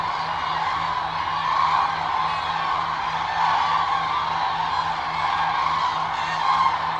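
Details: A large wintering flock of common cranes (Grus grus) in the Hula Valley by the Jordan River, Israel, December 2022, trumpets without pause, rolling bugle calls overlapping into a dense steady chorus over a low hum.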